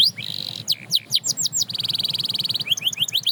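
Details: Canary singing to encourage other canaries: a short buzzy note, scattered high slurred whistles, a rapid pulsing trill, then quick rising chirps.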